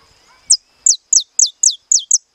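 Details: Estalado-style song from a captive-bred saffron finch: seven crisp, very high notes, each dropping sharply in pitch, repeated at a quick even rhythm of about three per second over a faint continuous high tone.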